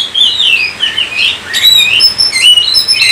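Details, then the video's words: Oriental magpie-robin (kacer) in full 'gacor' song, used as a lure to get other kacer singing: loud, clear whistled phrases that slide up and down, with sharp high notes and short pauses between bursts. "Kacer COVID-20 mampu sebarkan virus gacor kacer Anda"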